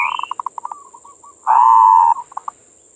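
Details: Zebra dove, local perkutut, singing manggung bait song: a trail of quick low pulses fading out, then a long steady loud coo ending in two short notes, over constant high hiss.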